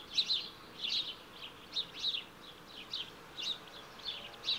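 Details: Week-old Smew ducklings with their mother give thin, high peeps, repeated roughly twice a second in short bursts over a faint background hiss.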